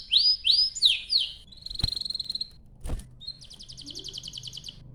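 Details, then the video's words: Canary song played as a lure to prompt other canaries to sing: a few loud swooping whistles, then short trills broken by two sharp clicks, ending in a fast, even, high trill. "Kicau Suara Burung Kenari Gacor Panjang cuit cuit Ngerol untuk Pancingan Kenari"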